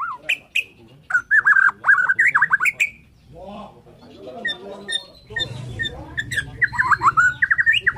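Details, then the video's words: Borneo-type white-rumped shama singing in the morning: bursts of sharp, varied whistles and rapid notes open and close the passage, with a muffled voice-like stretch and a low rumble in between. "KICAUAN MURAI BORNEO PAGI"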